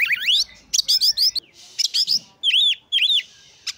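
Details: Oriental magpie-robin song meant to provoke other magpie-robins into singing and raise their breeding urge; rich twisting whistles, buzzy notes and paired arching whistled phrases, loud and clear with brief gaps.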